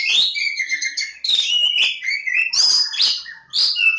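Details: Kacer Jawa (Oriental magpie-robin) from Lebakgowah pouring out loud, fluid whistled phrases, sliding up and down, interspersed with short harsh buzzes, almost without pause.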